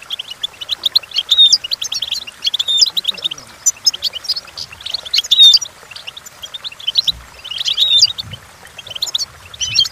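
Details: Goldfinch song meant to help train goldfinches to sing: lively bursts of high twittering notes broken by short pauses, with sharp whistled upslurs, and a faint soft thump near the end.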